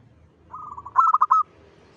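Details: Zebra dove song from a lure recording for attracting zebra doves: a soft rolling trill of even pulses runs straight into four loud staccato coos and a short held final note.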